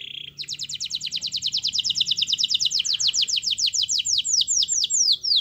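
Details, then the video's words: Canary in full, continuous song, intended to coax a quiet canary into singing. A short buzzy note opens a long rolling trill of sharp, high, falling notes that slows slightly toward the end. "Suara Kenari Gacor Yang Malas Bunyi Awas Kaget Ikut Bunyi || Pancingan Kenari Agar Bunyi"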